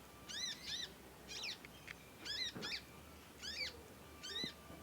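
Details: Young conin learning its song delivers loud, high, arched squeaky notes, often doubled, spaced about a second apart, with a thin steady tone in the background.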